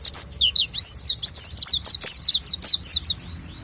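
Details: Oriental white-eye (pleci) pouring out a rapid chain of high, slurred whistles, some rising and some falling, around five notes a second, clear and loud before fading at the end.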